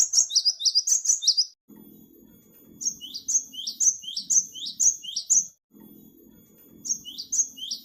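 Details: Great tit chirping played to lure wild birds: quick series of sharp, high, falling notes in long runs, with a low humming background noise filling the gaps between bursts.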